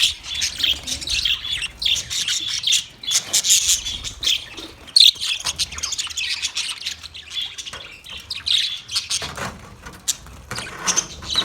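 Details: Recorded 9 March 2024, a flock of budgies chatters in continuous high-pitched warbling and chirping, swelling and easing in waves over eleven seconds.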